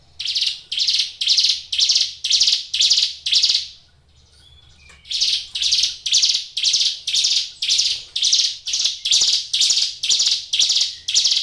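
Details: Energetic caged Hill Prinia giving a steady series of rasping buzzy notes, about two per second. The song breaks off for roughly a second and a half midway, then resumes at the same pace.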